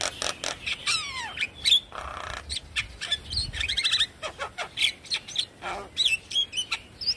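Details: Varied Javan myna song meant to spur another bird into lively singing: descending slurred whistles, raspy buzzes, chattering clusters and sharp chips in a busy, uneven stream.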